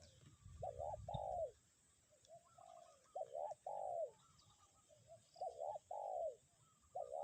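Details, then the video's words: Spotted dove decoy bird in windy weather sounding kuk 1: a quick double coo, then a fuller falling coo, with soft lead-in notes, repeated about three times with a brief wind gust at the start. "angin kencang pikat tetep bunyi kuk 1"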